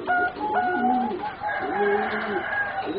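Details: Young competition-bred singing zebra doves, four birds aged about three and a half to four months, giving soft rolling coos with short clipped higher notes overlapping, several phrases within a few seconds.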